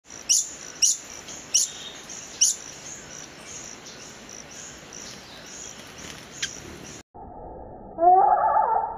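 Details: Long-billed hermit hummingbird in Costa Rica, its call played at normal speed, then slowed to 12.5%: very high, sharp chips repeated about twice a second over steady insect noise, then after a pause a much lower, drawn-out warbling phrase.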